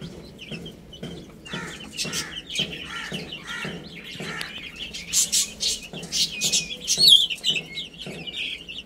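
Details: A group of baby chicks peeping as they play and feed. Bright, short, downward-sliding chirps come in quick series and grow louder toward the end, alongside crisp pecking clicks and scratching.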